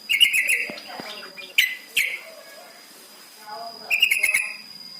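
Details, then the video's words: Lure recording of a captive yellow-vented bulbul played to prompt caged birds into song: bubbly chattering phrases, a pair of sharp notes, a pause, then another chattering burst over a constant high whine. "Pancingan trucukan paling AMPUH bikin cepat bunyi"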